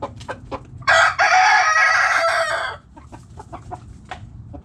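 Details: Backyard hens and roosters: short clucks lead into a long, loud, rough-edged crow of about two seconds, then soft clucking resumes in quick, irregular notes.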